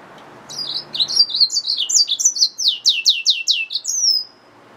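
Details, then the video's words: Singing yellow-fronted canary mule (hybrid finch) delivers quick high twitters leading into a series of rapid sweeping down-slurred notes, ending in a thin drawn-out whistle; quiet background. "SERINUS Mozambicus | سيرينوس موزمبيق | Yellowfronted canary mule | Hybrid Finch | Nature Bird sounds"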